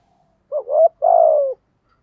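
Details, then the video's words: A caged lure spotted dove gives one deep coo phrase in the thổ voice. A quick upslurred note leads into a long, even, gently descending hollow tone. "Chim Cu Mồi Thúc Gù, cu gáy giọng thổ hay"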